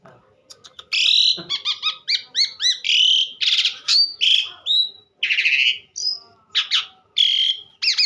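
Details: Asian pied starling singing vigorously: a rich, continuous jumble of clear whistles, rising and falling slurred notes and harsher buzzy phrases, delivered rapidly with hardly a pause, after a few soft opening notes.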